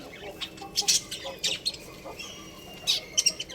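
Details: Domestic budgies chirp in quick, high, thin bursts. A few clustered notes are followed by a short gap, then another cluster of bright twittering chirps near the end, with a soft hum underneath.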